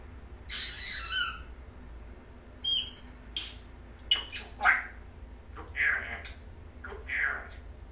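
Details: Female African grey parrot indoors mimicking speech and growling, saying "I'm gonna getcha": a harsh burst of squawking opens, then short whistled notes and a series of sharp, speech-like syllables and clicks, with a low hum underneath.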